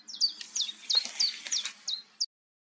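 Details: Common chiffchaff at Goldcliff, Newport Wetlands, on 11 April 2022: seven high, falling notes in quick succession, accompanied by brief rushing noise bursts, then silence.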